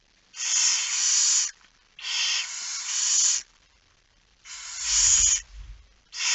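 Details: Barn owl feeding at its nest on the night of 10 September 2019, 22:45: loud, long, broad hissing screeches, some doubled, repeated roughly every two seconds, with a low rumbling thud under one.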